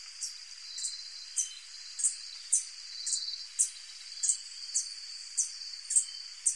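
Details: White-tipped sicklebill, a hummingbird, giving very high thin squeaky notes repeated roughly twice a second, slightly irregular, over a continuous high insect-like hiss.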